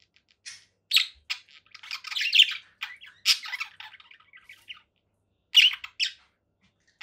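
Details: Short rasping squawks and chirps from a conure parakeet, scattered with pauses, a dense scratchy run in the middle and two loud calls near the end.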